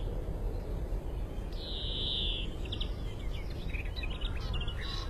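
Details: Male European greenfinch calling to the female, recorded as a lure for trapping: a drawn-out buzzy wheeze lasting nearly a second, followed by scattered short faint notes, all over a steady low rumbling background noise.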